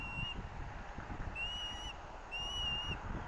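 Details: Hellgate ospreys, Missoula, Montana, August 2024, parents bringing fish to competing chicks: three separate long, thin whistled notes, each level and slightly arched, spaced about a second apart over steady wind-like hiss.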